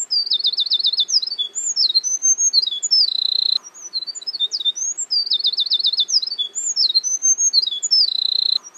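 A Eurasian wren pours out two loud, high, rapid songs of about four seconds each, packed with fast trills and sharp twittering notes.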